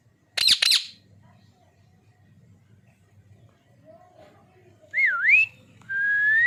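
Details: Pet ring-necked parakeet gives two harsh squawks, then after a quiet pause a wavering whistled note that dips and rises, followed by a long steady rising whistle.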